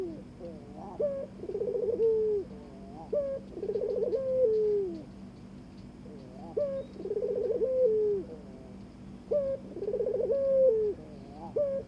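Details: Barbary dove calling to its partner during mating courtship: four rolling coos about three seconds apart, each a short rising note, a fluttering trill, then a drawn-out descending tone.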